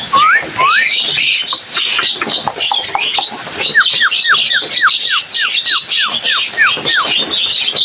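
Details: Lively Javan myna chirping, with loud upward-swept whistles near the start, then a rapid run of about a dozen short downward-curving whistled notes, all over a steady wash of busy high-pitched chatter.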